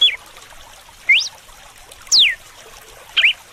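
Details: Red-cowled cardinal giving the whip-like song style with running water: four short sharp sweeping whistles, rising or falling steeply, spaced about one second apart over a faint steady water hiss.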